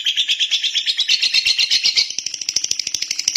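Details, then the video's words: Rapid lovebird chatter, buzzy high notes pulsing quickly, the tone shifting higher and sharper toward the end of the short burst. "Love bird jernih durasi panjang"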